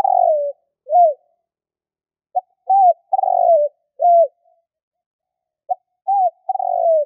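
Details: Spotted dove cooing, used as a hunting lure: phrases of low, hoarse coos, a short clipped note, an arched coo, then a longer falling coo, repeated three times with short pauses, against a silent background.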